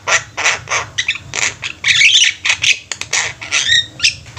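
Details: Javan mynas kept together as a flock, singing actively: dense runs of harsh, scratchy chattering bursts and squawks, closely packed over several seconds with brief gaps, several birds calling at once.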